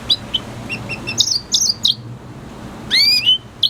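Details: Red siskin singing: scattered high chirps, then bright twittered phrases and a nasal, rising two-part note near the end, over faint low background hum.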